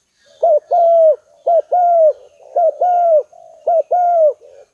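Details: Spotted dove lure call, four evenly repeated phrases each made of a short abrupt note and a long steady coo that droops at the end, with quieter coos trailing between them.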